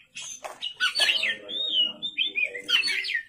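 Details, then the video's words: Oriental magpie-robin at night giving loud rich whistles and scratchy phrases, with a long smooth whistle in the middle, over a soft low background hum. "pancingan kacer gacor malam hari"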